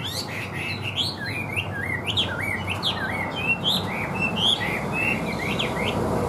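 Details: Caged Chinese hwamei singing steadily and evenly: rapid zigzag whistled notes repeated in quick succession, each a sharp up-and-down slur, above a quiet low hum.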